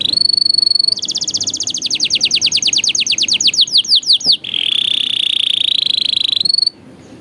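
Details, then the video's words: Canary song used to tutor young canaries in a 'cengkok mewah' style. A steady high rattling trill gives way to a long series of rapid down-slurred whistles, then a low continuous buzzy roll before a final high trill. "MASTERAN PALING EFEKTIF BURUNG KENARI | COCOK UNTUK MASTERAN KENARI PAUD"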